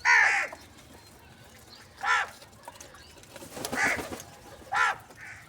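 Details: Crow calling for food in the morning: four harsh, broad caws, each about half a second, spaced roughly every one to two seconds, with faint background noise between calls.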